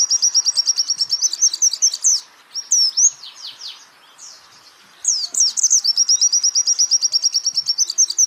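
A white-eye sings a fast, high, chattering string of thin notes, about three per second, with a brief tumbling twitter and a short pause midway.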